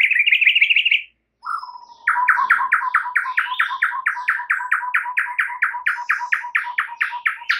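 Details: Morning song of a white-rumped shama: a brief buzzy trill, a sudden break, then a sustained run of crisp two-part chipping notes, steady at roughly two per second, bright and energetic to the end.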